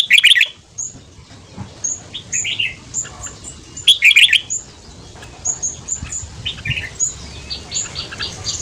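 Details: Red-whiskered bulbul giving a fast ché song in the morning to rouse newly caught birds: two loud, dense warbled bursts a few seconds apart, between them a string of thin high whistles from other birds.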